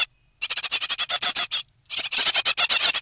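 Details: Three great tit nestlings, near fledging, in a nest box on 9 May 2017, give two bursts of rapid, hissy, high-pitched chirrups, about ten pulses a second, separated by a brief pause.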